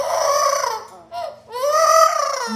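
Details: Pet parrot indoors imitating crying after attacking another bird, hoping not to be scolded: two long, wavering wails with a short pause between them.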